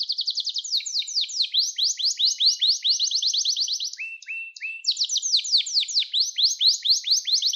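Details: Canary in full song, recorded to train young birds: long runs of rapid downslurred notes with changing speed, a few lower chirps in the middle, continuing without pause.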